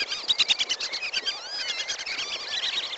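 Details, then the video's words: Lesser whistling duck calls played as a trapping lure: many thin, high, sliding whistles overlapping, with a quick run of sharp repeated notes at the start and a continuous chorus-like flow afterwards. "suara pikat belibis kembang"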